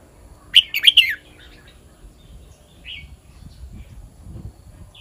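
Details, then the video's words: One fast phrase of three loud, clear whistled notes from a red-whiskered bulbul singing the kwik-jok-khwai-liang song pattern, then soft background chirps and low rumble. "เสียงนกกรงหัวจุก [ควิก-จ่อก-ไขว้-เลี้ยง]"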